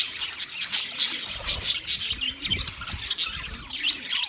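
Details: Wild budgerigars chirping as a flock: a dense, continuous mix of high, scratchy warbles and quick squeaky chirps from many birds at once, with no other clear sounds.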